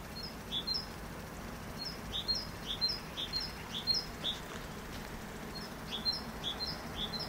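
A great tit sings a bright, high two-note phrase over and over, about two phrases a second, against a steady low background hiss.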